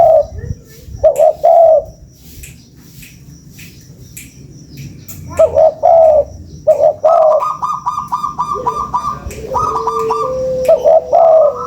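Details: Spotted dove coos, recorded for luring: repeated phrases of two or three soft mellow notes. In the second half a higher sustained whistled tone and a lower steady note join the coos.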